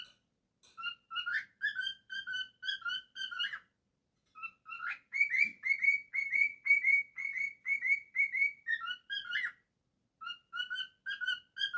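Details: Pet cockatiel whistles repeated clear notes, pauses, then switches to a higher, brighter sequence of evenly spaced whistles before returning to lower notes; a single spoken word follows.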